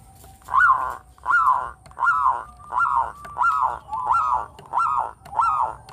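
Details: Local Javanese Zebra dove, a melodious frequent singer kept to lure other birds, delivers eight loud arched cooing notes in a steady rhythm, about one every 0.7 seconds, with a faint steady tone behind.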